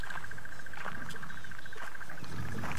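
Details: A crested barbet calls at sunset on Nov 22, 2016, on a safari drive, possibly with a second one nearby. It gives a long, even trill of rapid pulses like an alarm clock, over an idling vehicle's low rumble.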